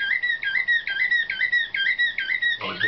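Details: Slavujar-style canary hatched in 2013, trained for competition, repeats one clear whistled note about three times a second in an even tour, broken at the end by a short harsh burst.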